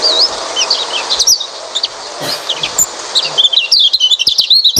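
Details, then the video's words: Oriental white-eye song played to lure a silent white-eye into singing: high, quick looping whistles and twitters, sparse early, then a rapid continuous chatter. "pancingan burung pleci malas bunyi"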